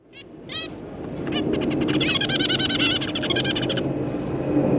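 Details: Newly hatched zebra finch chicks, with juveniles nearby and parents feeding them, give a rapid, insistent run of nasal, buzzy cheeps, several calls each second, over a steady low background hum; 22 September 2023.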